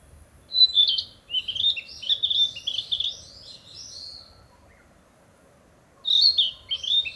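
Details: Narcissus flycatcher back from southern lands to breed, singing in a bright spring forest to declare its territory: a run of clear, warbled whistled phrases for about three seconds, a pause, then a fresh whistled phrase.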